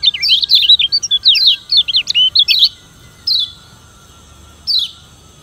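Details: Yellow white-eye from Lombok, Indonesia, singing its challenging voice to stir up rivals: a rapid two-and-a-half-second string of high warbling, wavering notes, then two isolated downslurred chirps after pauses, over faint hum.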